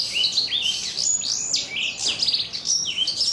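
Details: Short burst of song from a four-month-old black-throated canary: rough, crunchy "kriuk-kriuk" voice, swooping whistled notes and rapid chirps.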